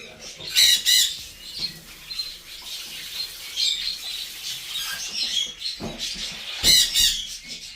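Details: Two baby blue-and-gold macaws being hand-fed at a Florida pet store give harsh, raspy squawks in irregular bursts, loudest near the start and end, with soft voices and music in the background.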